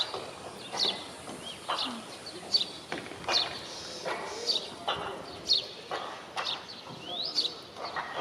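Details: A juvenile male Indian robin (Copsychus fulicatus) gives short, sharp high chirps about once a second over a steady hiss, with scattered thumps and low background rustling.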